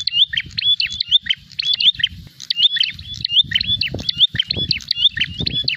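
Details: Loud repeated chirping from a prinia looking for a rival to fight, quick whistled phrases with sharp notes in fast sequence, low thumps and rumbles audible beneath.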